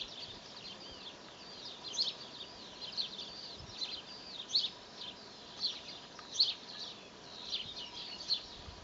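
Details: Young tit calling from an apple tree in spring, a run of high piercing chirps spaced irregularly about two per second in a quiet outdoor setting.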